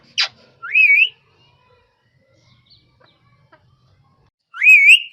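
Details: Rose-ringed parakeet giving a sharp click, then a rising, wavering whistled slur, silence, and a matching whistled slur near the end.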